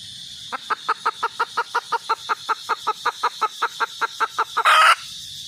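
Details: Red junglefowl hen starting after a short silence with a brisk series of about twenty evenly spaced clucks, ending in one loud raspy squawk.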